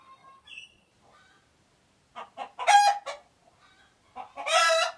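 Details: Chicken alarm sounds: faint high notes at first, then short clucks leading into two loud rasping cackles about two seconds apart.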